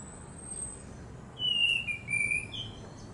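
An Ashy thrush gives a brief phrase of clear, sliding whistles, dipping then level, over a faint steady hum with thin high notes above.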